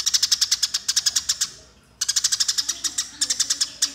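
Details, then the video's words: Fighting Eurasian tree sparrows give fast, metallic chattering chirps in long runs, briefly dropping out near the middle before resuming just as quickly. Used as a model recording for training songbirds. "Suara Burung Gereja Tarung Ngeroll"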